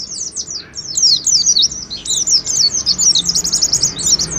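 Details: High, rapid, twittering ngalas song of an oriental white-eye, a lure to make pet birds sing and show off their repertoire; chirps grow denser and louder into a continuous chatter.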